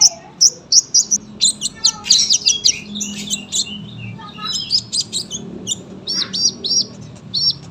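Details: Dense sunbird song of rapid high twitters and chattering bursts, followed by a run of evenly repeated bright notes near the end; soft low background noise.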